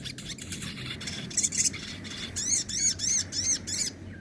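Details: Sogon in nembak and ngobra song styles, kept as training material for caged birds: a few scattered high squeaky notes, then a run of five loud arched whistles, each rising then falling, about three per second, with steady low background hum.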